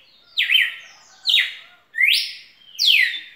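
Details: Four loud, clear song phrases from a red-cowled cardinal, each a sharply falling slurred whistle with a small upturn, evenly spaced almost a second apart in a quiet setting.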